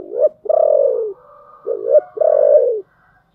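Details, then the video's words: Close spotted dove in 'giọng thổ' voice: a short coo, then a long, slightly rough coo sinking in pitch, repeated as a two-part phrase, with a quiet higher bird call between. "cu gáy giọng thổ"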